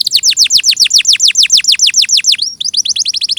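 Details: Canary song, a clear tutor recording: loud steeply descending whistled notes in a quick series, a short upward slur, then smaller rapid falling notes.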